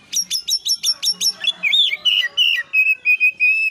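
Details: Oriental magpie-robin lure song meant to excite other birds into answering: a fast series of sharp chipping notes, then warbled phrases that settle into steady repeated whistled notes.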